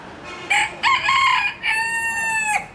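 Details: Chicken giving a full crow: a short opening note, a strong wavering middle phrase, then a long steady drawn-out final note, clear and loud.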